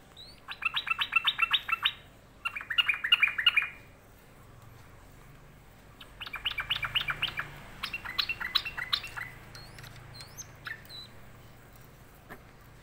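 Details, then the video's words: Sooty-headed bulbul, said to be sulking, gives rapid bursts of short chattering notes in runs of one to two seconds. After a pause it chatters at greater length, then adds a few scattered single notes. "Trucukan lagi ngambek"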